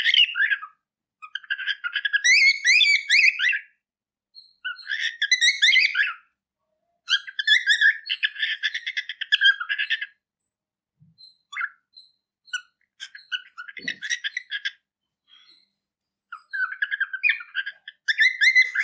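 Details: A pet cockatiel chirping continuously in bursts of bright, warbling whistles separated by short pauses.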